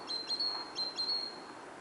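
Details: Great tit song in autumn, close and clear: quick high paired notes, a brief chip followed by a sustained level whistle, heard about three times.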